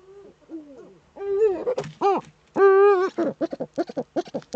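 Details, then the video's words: Eurasian eagle-owl female courting in her nest niche, nest webcam in northern Rhineland-Palatinate, Germany, 10 May 2013: soft wavering notes swell into loud, long harmonic wails, then break into a fast run of short clipped chattering notes. "Uhu-Weibchen balzt in der Brutnische"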